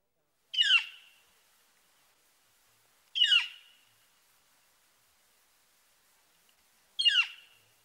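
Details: Northern Flicker giving its loud single-note call, likened to "clear": three separate sharp, descending, slightly harsh notes, each spaced two to four seconds apart with quiet between.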